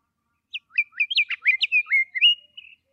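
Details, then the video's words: Scott's Oriole sings a rich, varied run of clear whistled notes and slurred phrases, rising and falling quickly over about two seconds, with no other sounds. "Scott"s Oriole"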